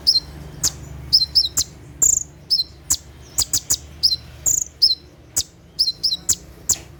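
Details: At night a konin, the olive-backed sunbird, gives its 'tembakan' song, used to train caged birds: rapid, thin, high-pitched chirps and slurred notes in uneven bursts, with short gaps between groups.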